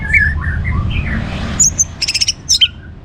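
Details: Orange-headed thrush (anis merah) singing to provoke other birds: soft warbled whistles drifting up and down, then a string of high, clipped chips repeated quickly, over a low hum.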